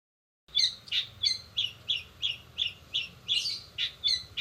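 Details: Long-tailed shrike in fast 'rol spid' song style, with mimicked fills of sparrows, sogon and canary: a steady run of short, sharp chirps near the top of its range, about three per second, after a brief silence at the start.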